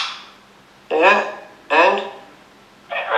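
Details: A pet blue (cobalt) princess parrot gives three loud, harsh, raspy squawks about a second apart in a quiet room, an angry reaction to being shown videos of other princess parrots; the owner suspects jealousy.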